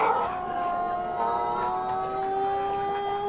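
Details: Pelung chicken of Plered, Purwakarta Regency: an extended, mellow crow held on an even, rich harmonic tone for over three seconds, loud and steady throughout.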